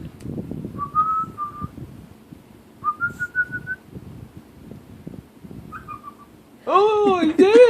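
A pet Quaker parrot gives short, clear whistled notes that rise slightly, with people talking nearby.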